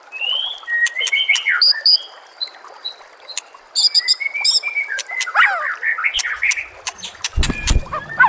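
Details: Song of a white-rumped shama, recorded with nature sounds and trickling water for training captive birds: scattered sharp whistles and chattering notes in varied bursts, with a low rumbling thud near the end.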